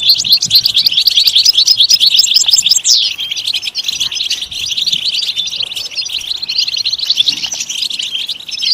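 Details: Long, rapid European goldfinch song used as singing stimulation: loud tinkling chatter with a falling buzzy slur near the middle, then continued high twittering with slight rises and falls in volume.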